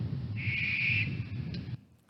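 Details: A barn owl in Minnesota gives one harsh, hissing screech lasting about a second and a half, with the very abrupt start typical of the call, over a low background rumble.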